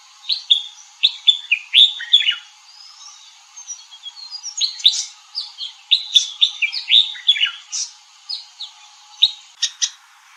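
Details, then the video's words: A red-whiskered bulbul delivers lively, liquid warbled phrases in two bursts separated by a brief pause, followed by a few sharp, scattered chirps. "Red whiskered Bulbul bird"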